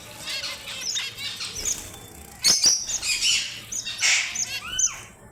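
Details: Red avadavat (strawberry finch) song: high whistled notes and buzzy chatter, with a sharp clatter in the middle and a downward-sliding whistle near the end.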